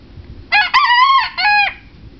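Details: A 7-week-old Old English Game cockerel crows for the first time: a harmonic crow of about a second and a half, a rising opening then a long level middle, a brief break and a falling final note, over faint background hiss.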